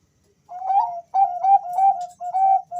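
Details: Male Bangkok zebra dove, one of two calling to each other, gives a steady series of five or six ringing whistled coos at an even pitch.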